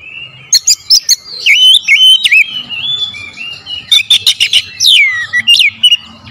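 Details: Lure song of an oriental magpie-robin, powerful and clear. Dense bursts of sharp clicking notes are mixed with bent whistles and long sweeping downslurs. Phrases come quickly, with only short pauses between them.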